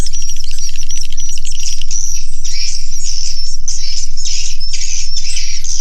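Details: Swiftlets in a swiftlet house giving high, thin whistled calls and scratchy chirping bursts that swell and fade every second or so, many birds overlapping above a low hum.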